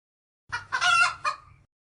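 A chicken gives a single hoarse, harmonic crow: a short first note, a loud drawn-out middle and a falling final note, about a second long.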